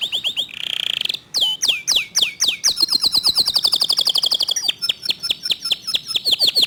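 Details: Local canary pouring out a fast 'tembakan' song: whistled notes, a brief buzzy passage, then loud down-swept slurs and quick pulsed trills with sharp clicks between phrases.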